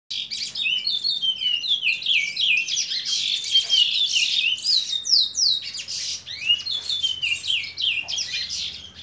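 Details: Juvenile chestnut-bellied seed finch, seven months old, singing a continuous run of varied whistled phrases with rising and falling slurred notes and quick trills, bright and high, with a faint low hum underneath.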